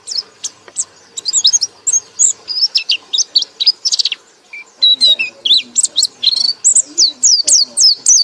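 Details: White-eye ngekek song: long, continuous chattering of high slurred whistles and clipped chirps, about four notes a second, growing louder and faster in the second half.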